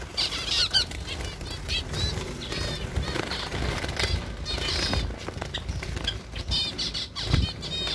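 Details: A zebra finch sings short nasal, buzzy notes in quick bursts among loud wing flutters; recorded in summer in Tripura, northeast India.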